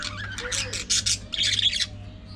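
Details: Budgerigars calling with a quick string of short, harsh, buzzy squawks and scratchy notes, closing with a denser rasping burst, while a low hum runs underneath.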